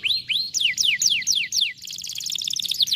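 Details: Canary song used to stimulate a lazy canary to sing: rapid series of loud descending whistled sweeps, then a fast buzzy trill of tiny repeated notes, with a final downward slur.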